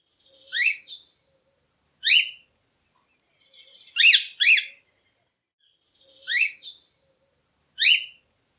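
A cockatiel gives shrill, rising-then-falling whistled calls, about six in eight seconds, some in quick pairs, with nothing else heard.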